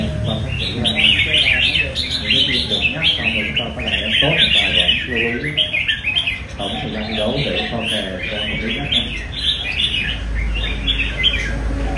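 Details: A caged Red-whiskered Bulbul trained for song contests sings energetically, rapid bubbly phrases repeated almost without pause, accompanied by background chatter and a low rumble near the end.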